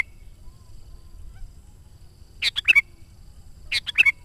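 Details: Sooty-headed bulbul song for attracting wild birds: two lively four-note bubbling phrases roughly a second and a quarter apart, over a soft low background rumble.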